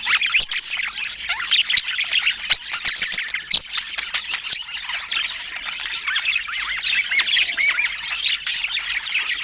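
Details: Budgerigars, described as rare, filmed in natural Scandinavian light, giving a continuous soft warbling chatter of many overlapping chirps and squeaks, steady throughout with no speech or music.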